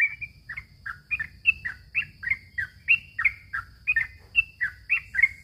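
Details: Quieter yellow-vented bulbul song meant as a lure for young birds: clear slurred whistles, some rising and some falling, about three a second, over a steady low rumble and a thin high whine.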